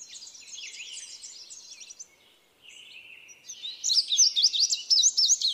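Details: Two songs from an indigo bunting: a softer series of paired quick notes, a brief buzzy slur, then a louder, emphatic run of doubled high sweeping notes.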